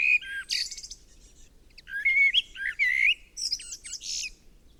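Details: Common blackbird singing powerful, clear, rich, fluty, mellow phrases, each ending in a high, squeaky twitter, with short pauses between phrases. No other sounds stand out.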